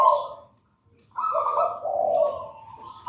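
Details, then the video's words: Zebra dove song in manggung style from a wild local bird out of a raja banana nest, kept to coach other doves: overlapping coos at two pitches, warbling and rolling, after a short gap. "Perkutut manggung gacor"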